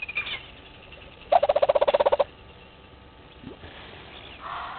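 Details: Red-billed hornbill searching for food by the Gowrie dam waterhole in Djuma Game Reserve, Sabi Sand, South Africa, 07:48 on 20 March 2021, live camera; a sudden, fast burst of about thirteen loud clucking notes lasting roughly one second, then quiet background.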